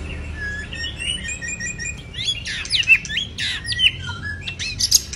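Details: Moulting white-rumped shama sings a continuous run of high, varied whistles, quick upward slurs and sharp chips that grow louder and denser after the first two seconds, with a low background hum.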